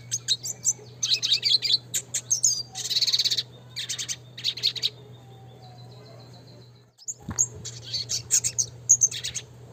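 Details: Red siskin in classic song style, pouring out dense high chirping phrases and a buzzy trilled burst, a pause with a faint thin whistle, then renewed rapid twitters; low electrical hum throughout.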